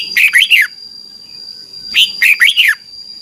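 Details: Red-whiskered bulbul giving its doubled song, slow and clear, meant for young birds to copy: two matching phrases of three or four bright, swooping notes, roughly a second and a half apart, over a steady high tone.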